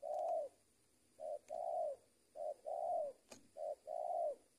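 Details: Trained decoy spotted dove used for luring, giving soft low coos in short groups, a brief note then a longer rounded coo, repeated about every second, with a quiet room hum behind.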